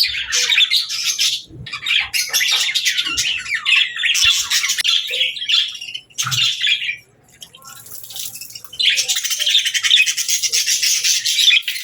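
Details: Budgerigars singing, a dense warbling chatter of scratchy chirps and squawks in bursts, with a brief pause near the middle before the chatter resumes loudly.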